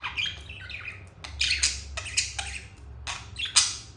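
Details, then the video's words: Pet budgies in a happy mood, a pair chattering: bursts of scratchy squawks and bright chirps in irregular clusters, loudest near the end, over a faint low hum. "Budgies happy moment"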